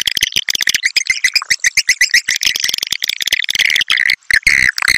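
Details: Swiftlet calling sound used as a lure to attract swiftlets to a bird house: dense, continuous chattering of high, buzzy chirps and clicks, many overlapping and rapidly repeated, with a brief drop near the end.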